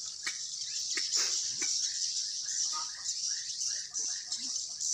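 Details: A swiftlet colony growing indoors in Sibolga, Indonesia, fills the space with steady high-pitched twittering, punctuated by short chirps in quick runs and occasional sharp clicks.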